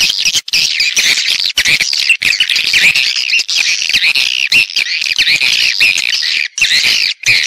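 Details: Swiftlets in a stereo recording of calling and roosting sounds: a dense, continuous wash of high, buzzy twittering chirps from many birds, broken by a few brief silent gaps.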